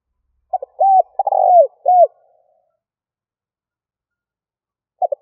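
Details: Spotted dove calling to draw in other doves. One full phrase of clipped double notes, flat coo, rolling descending coo and arched final coo is followed by silence, then the opening double notes of the next phrase about four seconds later.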